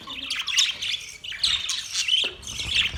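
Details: Budgies chirping in three quick bursts of scratchy, warbling chatter, each with squeaky rising and falling notes and short breaks between.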